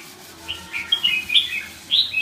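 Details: Red-whiskered bulbul uttering a run of short, bright, warbled chirps that grow louder toward the end, over a faint low hum.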